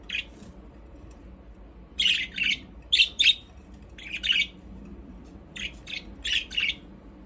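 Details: Budgerigars playing in their aviary give short bursts of scratchy chirps in small clusters, with pauses between, over a steady low hum.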